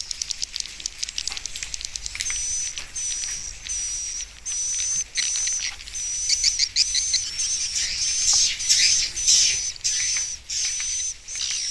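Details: Swiftlet lure recording, a 2021 updated mix with added roosting and pulling calls, meant to draw swiftlets into a nesting house to stay: steady series of short, high, thin whistled chirps, repeated about every half second, over a faint insect-like hiss.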